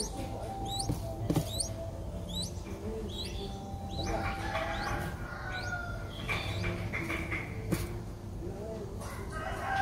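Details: A five-day-old Streak-eared Bulbul nestling in Ubon Ratchathani, Thailand, 7 April, gives thin, high cheeps that slide downward, repeated roughly every second over a low rumble, with a faint rooster-like call behind.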